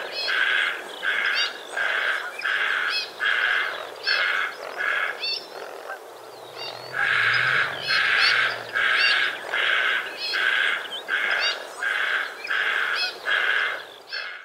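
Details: White-faced heron in Australia, 2 January 2019, calling with long sequences of rough, rasping croaks about once per second, a short gap midway, and a soft low rumble beneath.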